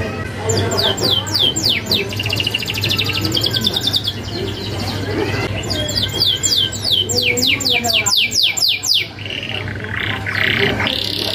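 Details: Vigorous canary song ('kenari gacor') with sharp rolling fill, used as a master recording for untrained canaries. Rapid runs of high descending sweeps alternate with buzzy trills and whistled phrases. A steady low hum runs throughout.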